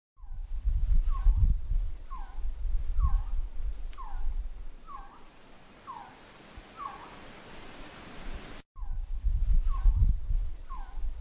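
Resplendent quetzal giving mellow, upslurred whistled notes, roughly one a second, over a steady low rumble of wind or handling noise.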